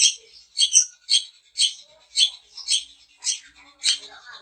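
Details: Long-tailed shrike of the daput type, sound used to set other shrikes singing: a steady series of short, buzzy, high chirps, roughly two per second, eight in a row.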